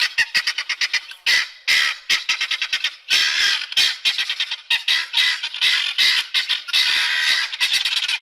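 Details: Guinea fowl giving harsh, grating squawks in rapid bursts of staccato notes, some running together into longer rattling cackles, with short pauses between bursts.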